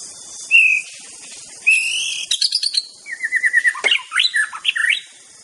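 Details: White-rumped shama of Aceh in rich song: long clear whistles give way to rapid repeated notes and a varied, jumbled run of rising and falling phrases, with a faint high hiss behind.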